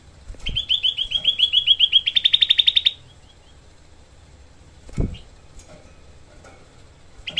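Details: Grey-bellied bulbul (cucak kelabu), a small songbird known for its dense, rough 'tembakan' bursts: a rapid series of sharp, chirping notes quickens and intensifies over about three seconds and then stops. Dull thumps and a short chirp follow.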